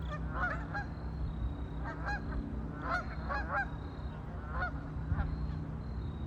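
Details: Several ducks on a lake trade short harsh honking calls in irregular groups of two or three, with a faint continuous high tone and a low droning hum beneath.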